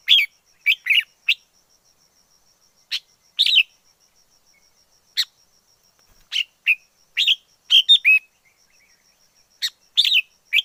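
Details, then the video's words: Song of a wild red-whiskered bulbul. Clipped, liquid whistled phrases come in bursts, some with rapid double notes, with silent gaps between. A thin continuous high hum runs underneath. "Chào mào rừng hót hay nhất 2020. Noog diab quaj zoo kawg li"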